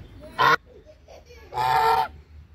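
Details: Hungry brown Chinese geese on a farm give two harsh, nasal honks: a short blast, a pause of about a second, then a longer, steadier honk against a quiet background.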